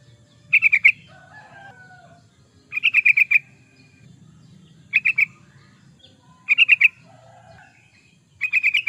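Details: Lure or master recording of a lively yellow-vented bulbul: repeated short bursts of quick, bubbly notes about every two seconds, while other birds give soft whistles and chirps in the background.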